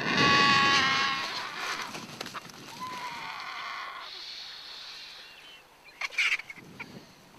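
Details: Excited vultures descending to feed on a carcass in the African bush give a loud, harsh, bleating squeal, then raspy hisses and a brief shrill squeal near the end, with rustling throughout.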